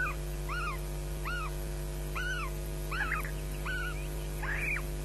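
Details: Nest of osprey chicks at Loch Garten, Scotland, 22 May 2012, mid-morning, squabbling and shrieking for food as an adult watches; repeated arched whistled squeals, roughly one per second, over constant low electrical hum.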